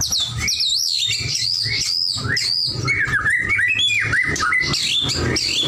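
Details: Vigorously singing white-rumped shama: loud, clear whistled notes high up, then a lower stretch of rapid, jumping, warbling phrases, running continuously over a soft low hum.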